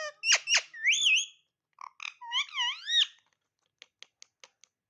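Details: Pet parrot making noises: two sharp, squeaky calls, then warbling whistles that swing up and down in pitch, and a closing run of five soft, evenly spaced clicks in a quiet room.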